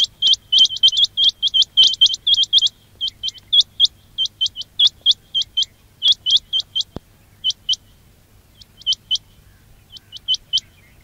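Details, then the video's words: Quail calls for luring during trapping: a fast, crowded series of high upswept notes for several seconds, thinning to scattered pairs, with one brief click midway. "quail batair ki awaz"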